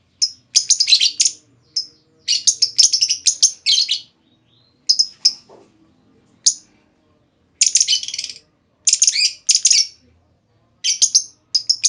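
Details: Calls of a female lovebird, used to provoke other lovebirds into long trilling: high, harsh chirps in dense clusters and short bursts, repeated irregularly with brief pauses, in a quiet indoor setting.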